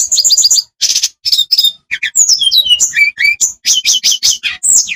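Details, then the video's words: Song of an Olive-backed tailorbird, played to coax quiet birds into full song: quick clusters of high chirps, then sweeping downslurred whistles and sharp paired notes, delivered almost without pause. "Tledekan pancengan supaya gacor dan bongkar isian.... biasa buat burung malas bunyi"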